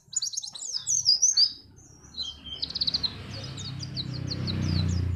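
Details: Contest-trigger song of a white-eye from Pacitan: loud high twittering for about three seconds, then thinner chirps as a low rumbling noise rises and takes over.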